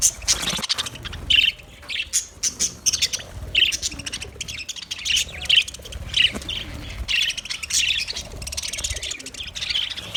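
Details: Aviary budgerigars, Australia, giving a stream of high twittering chirps and squawky notes from many birds at once, pulsing in short loud bursts over a low rumble.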